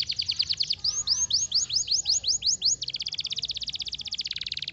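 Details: Canary song with bright descending whistled notes repeated about three per second, followed by a very fast, even buzzy trill.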